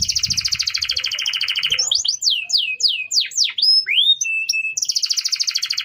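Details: Canary singing a training song for other birds: long fast buzzy trill, then a run of clear swooping whistles and a flat held note, ending in another rapid trill.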